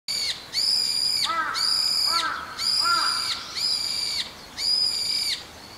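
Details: Flock of migratory brown-eared bulbuls, arriving from Siberia every January to strip a garden Ilex rotunda of its berries. Loud, shrill, drawn-out screeching notes come about once a second, with lower slurred notes between them.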